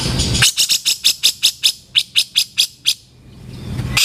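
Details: Grey-cheeked bulbul in a training recording for cage birds, its rough 'kasaran' call: a quick run of about twelve harsh, buzzy, scratchy notes, then a short pause before another note begins.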